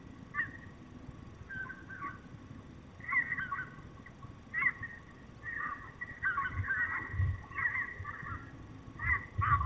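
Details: Peregrine falcon, a male at the nest in Poland's Barycz valley seeking his partner, September 2021: scratchy, wavering cries in irregular clusters that grow busier toward the end, over low background rumble.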